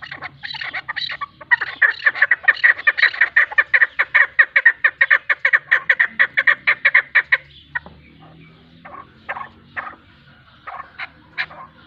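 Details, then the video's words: A Chukar partridge pair, described as female calls, gives a fast run of harsh, clucking chuk notes at about two per second that rises, then breaks into scattered calls, over a faint low hum. "چکور کی آوازیں|chakor pair | partridge sound | keklik sesi dişi |صوت طائر الحجل"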